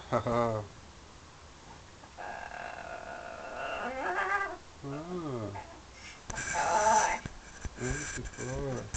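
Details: Pet parrot indoors in London, flirting with its mirror image and with birds outside the window: a series of harmonic, wavering calls, some sweeping up and down in pitch, with bursts of rustling noise between.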